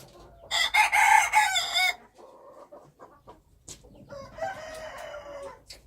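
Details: Loud, rough crowing of a wild chicken lasting over a second, then softer low notes and a second, fainter drawn-out crow, with a few sharp clicks.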